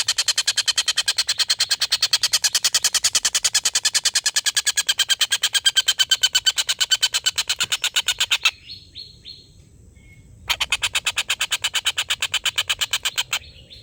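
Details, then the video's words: Collared kingfisher long laughing call, used to tutor competition birds: over eight seconds of fast, harsh repeated kek notes, a pause with a few soft falling whistles, then the rapid chatter returns. "tengkek buto ngekek panjang"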